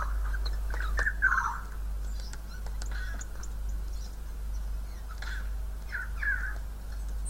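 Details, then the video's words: A wild Siberian jay bleats and whines: a few nasal, wavering bleats and whines, each under a second long, spaced irregularly over several seconds, with a steady low hum behind. "Мекает и скулит"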